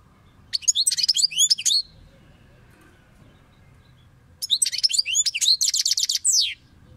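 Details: Song of a European goldfinch: two bursts of rapid, high, tinkling twitter, each under two seconds and mixing sharp sweeping notes with short buzzy trills, separated by a quiet pause of about two and a half seconds.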